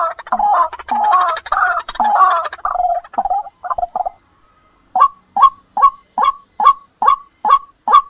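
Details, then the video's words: White-breasted waterhen used as a lure call to draw in birds: a noisy chorus of overlapping grating, croaking notes fades into a short silence, then a regular string of sharp, nasal single notes, roughly two per second. "suara pemikat burung ruak ruak"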